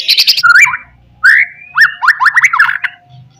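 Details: White-rumped shama 'pastol' lure song meant to provoke rivals: a fast burst of high notes, then long sliding whistles and a string of rapid rising slurred notes, with faint low background hum.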